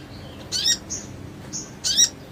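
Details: Sogon on a masteran track for stimulating other sogons: two harsh, buzzy high bursts about a second and a half apart, each followed by a short thin whistled note.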